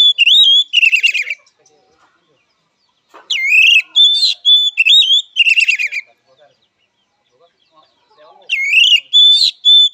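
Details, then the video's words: Oriental magpie-robin, called kacer, singing its fighting song: loud whistled phrases and gritty chattering trills in bursts, with pauses of a second or more between sequences. "Suara Kacer Petarung!! Terapi Mental Emosi Kacer"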